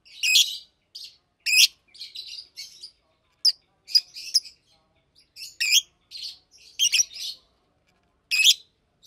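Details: Two adult Fischer's lovebirds in a cage, blue and pastel green, calling during the day: isolated sharp, piercing chirps and short chattering groups spread over several seconds with silent gaps between.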